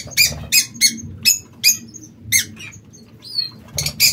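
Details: Captive king quail in an aviary uttering a series of short, sharp, high squeaky chirps, roughly two per second with small gaps. Includes one thin falling whistle near the end, over a faint low hum.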